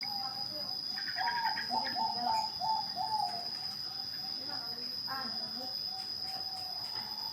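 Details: Zebra dove of the Bangkok type singing: a soft cooing phrase of quick, slightly rising notes, pausing, then repeating. A steady high electrical whine runs throughout, with faint rustling and other background noise.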